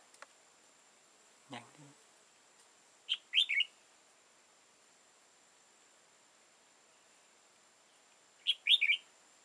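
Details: Trapping of an old wild red-whiskered bulbul with a tall crest and dark bib using a decoy, 15 October 2018: two short warbled phrases about five seconds apart, with a man's brief low speech and a thump between them.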